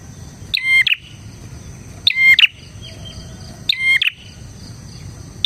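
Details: Lively bar-winged prinia song meant as a training and lure recording: three strident phrases of quick, buzzy stacked notes with a shrill whistled core, about one and a half seconds apart, plus a faint trailing chirp.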